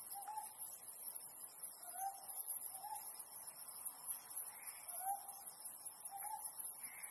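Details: Ryukyu scops owl calling on a harvest-moon night: muted short hoots come every second or two, partly overlapping another distant owl, while a continuous high insect drone fills the background.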